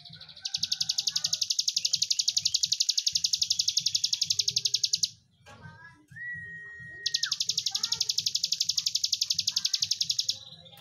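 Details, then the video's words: A prinia kept as a master tutor bird sings a long, dry, high buzzing rattle lasting several seconds, then pauses briefly with a level whistled note before the rattle starts again, over a low hum. "Ciblek Gunung Gacor || Breen panjang"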